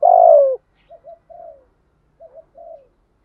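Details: Male and female spotted doves kept as decoys, cooing to stir other doves to call: one long, loud, hoarse falling coo, then two pairs of soft, short, low murmuring notes.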